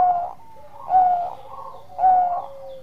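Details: Bangkok zebra dove singing engkel-style song meant to raise breeding mood; two soft cooing phrases, each a warm burst with a held hooting note, linked by drawn-out falling tones.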